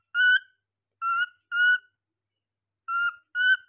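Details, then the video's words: A cockatiel gives five short, clear, whistled notes in loose pairs, each slightly rising, separated by brief pauses in a quiet setting. "5 Best Sounds Cockatiel"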